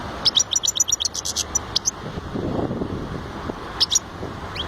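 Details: European goldfinch giving a quick series of sharp, high chirps and twitters for about two seconds, then a brief pause and a few more scattered chirps over soft background noise.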